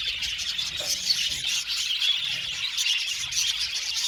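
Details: Many budgerigars chirping together in an aviary, a lively, dense chatter of high squeaks and warbles with quick bright notes poking out above the continuous twittering.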